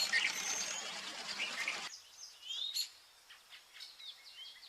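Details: Vernal hanging parrots feeding on pearl millet give thin, high squeaky chirps and short up-slurred notes, about three per second, after a burst of rushing noise at the start; recorded August 23.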